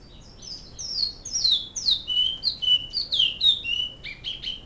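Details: Flauta-style song of a Great-billed seed finch in Canoas: bright, high whistles that slur downward and level out, strung together rapidly in an irregular, flowing sequence with no other sounds.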